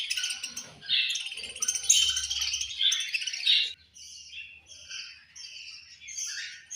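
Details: Budgerigars said to be angry at lunch time: a loud burst of overlapping scratchy chatter for nearly four seconds, then quieter separate high chirps repeated about once a second.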